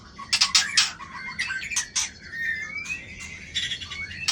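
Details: White-rumped shama, tail rated 24, flicking its tail at a rival. Harsh scratchy bursts open the phrase, then a long thin rising whistle and a few short whistled notes follow over a steady background hiss.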